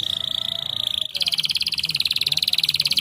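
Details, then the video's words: Canary song, the singing style called gacor: a steady, rapid high trill for about a second, then a switch to a faster, slightly higher pulsed roll that runs to the end, with a faint low hum underneath. "PUTAR SAJA JIKA INGIN KENARI ANDA GACOR!!"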